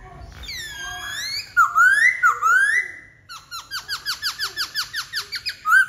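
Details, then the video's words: White-cheeked laughingthrush with rich squealing upslurred whistles, followed by a rapid even series of about fifteen bright chattering notes, ending in one more whistle. "Khướu bạc má"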